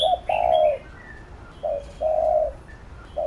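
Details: Spotted dove cooing to work up a decoy bird: long steady low coos separated by short pauses, with faint twittering of small birds above.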